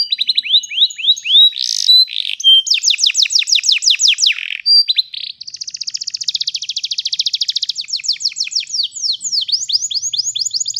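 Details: Long rolling canary song meant to teach young canaries: varied tours of quick descending notes, a dense fast trill in the middle, then spaced downslurred whistles.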